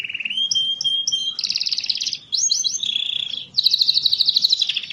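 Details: Lure song from a canary, aimed at stirring lazy canaries to sing: a steady high whistle with chip notes above, then dense buzzy trills, looping swoops, and a loud fast pulsing trill repeated many times per second to the end.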